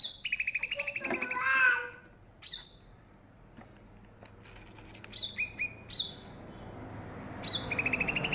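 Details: Cucak rante bulbul, a bird of Aceh's forests now turning rare, in a tutor recording: opening quick trill and descending whistled notes, then scattered short chirp bursts over a noisy background.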